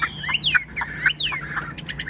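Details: Chinese hwamei, a largely tame bird with fanned tail, singing without pause: short loud slurred whistles sweeping up and down, repeated about twice a second in a lively, varied pattern.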